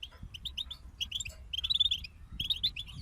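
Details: European goldfinches in a group give quick tinkling twitters. They run into a rapid rolling trill in the middle, then resume chattering phrases. A soft low background rumble runs underneath.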